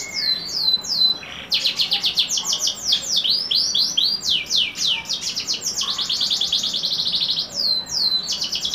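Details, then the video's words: Canary singing a rich, continuous rolling song of rapid high trills and sweeping whistled notes, with brief pauses between phrases and fast chattering runs throughout. "KENARI TRAH YS X SF MEWAH"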